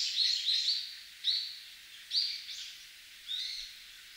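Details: Brown-eared Bulbul in a park in winter, giving loud, harsh, high squealing notes, about six in four seconds, some paired and slurred, over faint outdoor background noise.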